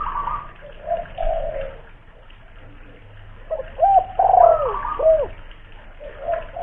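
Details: Caged local spotted dove from Kuningan, West Java, known for its big voice as a lure: faint early coos, a quiet stretch, then a clear burst of arched, falling coo notes.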